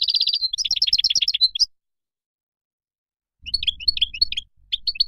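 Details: Singing Moroccan goldfinch: a dense opening phrase of high, rippling chirps and a buzzy trill, a long silence, then lighter scattered twitters.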